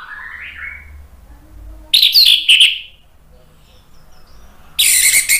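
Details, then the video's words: A captive orange-headed thrush, a lure/therapy recording for birds that have stopped singing, gives loud, rich, varied song phrases in short bursts, opening with a rising whistle, then dense chattering notes. "ANIS MERAH GACOR NGEPLONG memancing EMOSI jadi NYAUT BUNYI"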